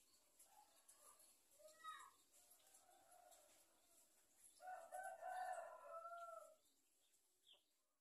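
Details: Free-range village chickens raised on a farm; soft low clucks and a longer louder warbling cackle near the middle, then a brief high note at the end, with faint background hiss.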